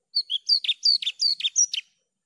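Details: Javan bush lark singing: a clean run of short sharp notes alternating between high downslurred whistles and lower buzzy chirps, about a dozen elements over under two seconds, no background noise.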